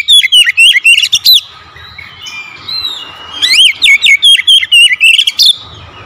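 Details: After being lured once, an otherwise reluctant oriental magpie-robin sings vigorously: two long bursts of rapid, loud whistles with looping rising and falling slurs, separated by a brief pause with softer notes.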